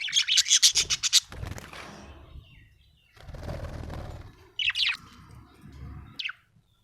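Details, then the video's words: Happy budgerigar starting with a rapid run of high, buzzy chirps, followed by low rumbling and rustling, then a few separate sharp rising chirps. "Happy budgie chirping sound"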